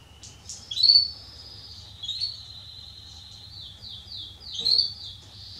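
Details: Male Belgian canary (Salsa line) singing as a warm-up for other canaries; softer, drawn-out whistled notes and a few short rolled trills over a low steady hum.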